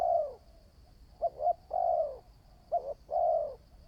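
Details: Spotted dove, a new bird being trained as a decoy, calling: a long falling coo, then two short clipped notes followed by a drawn-out coo, repeated twice, with a faint steady high whine throughout.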